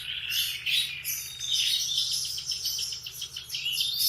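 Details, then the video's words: Unbroken morning canary song, a fast high warbling trill with quick repeated pulses and rising whistles, steady low hum behind it. "Kicauan kenari di pagi hari"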